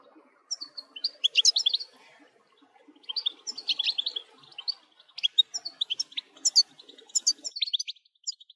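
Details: European goldfinch singing a 'batbata' style song, used to excite other goldfinches into singing: bursts of rapid twittering, tinkling and buzzy high notes in phrases of about a second, with short pauses between.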